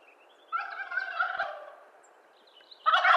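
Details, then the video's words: Wild turkey (Meleagris gallopavo) gobble, eastern North America: a loud, rapid, rattling burst trailing off after about a second and a half, then the start of a second gobble. "Wild Turkey Gobble"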